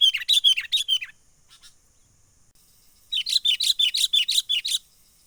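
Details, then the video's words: Sooty-headed bulbul lure call from the wild, used to trap birds: a quick series of repeated warbled chirps, a soft pause with faint notes, then another fast run of about eight chirps. "SUARA pikat kutilang gacor asli alam liar"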